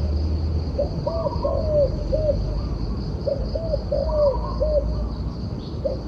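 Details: A turtle dove gives two cooing phrases about three seconds apart. Each is a run of mellow, hollow coos, with one longer note in the middle. A persistent high hum and low background noise are also heard.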